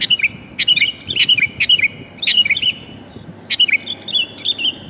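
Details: Female sooty-headed bulbul calling the male, lure for hard-to-attract wild bulbuls: crisp chirped notes in short groups of two or three, repeated with gaps of about half a second.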